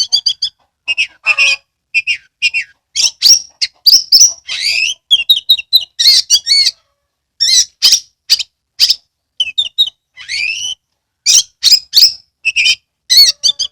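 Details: Oriental magpie-robin, a kept bird used as a lure song to prompt other birds to sing and fan the tail, pouring out varied loud phrases of sharp whistles, rising sweeps and scratchy rattles in quick bursts with short pauses, no other sounds.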